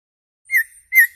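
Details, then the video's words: Mountain white-eye (opior), a vigorous, loud-voiced singer, gives two short, clear whistled notes about half a second apart, each with a bright, ringing quality. "SUARA OPIOR GACOR"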